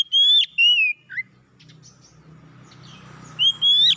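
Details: Oriental magpie-robin song of loud, pure whistles, a long level note then a falling slur and a short low note. After a gap with a soft hum, two more ringing whistles close the phrase.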